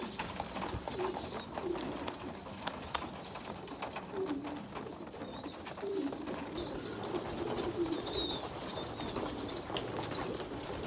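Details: Pigeon youngsters, one weak small bird feeding stronger siblings; long, wavy high-pitched squeaky whistles stretch across the recording, joined by quiet low coos about once a second.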